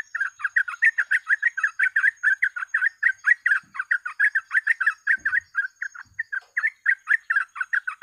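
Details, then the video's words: Lure recording of a sooty-headed bulbul in full gacor ropel: an unbroken eight-second stream of fast, bubbly, chattering notes at mid pitch, several per second, very steady in loudness, with a faint high tone throughout. "BURUNG TRUCUK FULL GACOR ROPEL,PANCINGAN TER'AMPUH"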